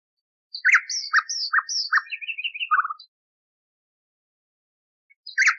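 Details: Nightingale song from an old, cleaned recording meant as a model for canaries: a burst of sharp chirps and high notes, a fast rattling trill and low throaty notes, then a long silence and a new phrase.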